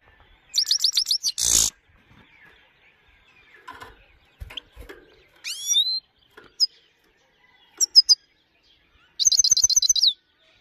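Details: Himalayan goldfinch singing high songs: bursts of rapid, high twittering notes, a sweeping rising whistle near the middle, a few short chips, then a final fast stuttering burst, with quiet gaps between phrases.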